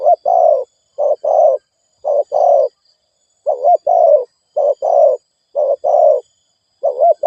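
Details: Spotted dove in rapid cooing meant to excite decoy birds, repeating low paired coos, each a brief note then a longer throaty roll, with short gaps between pairs.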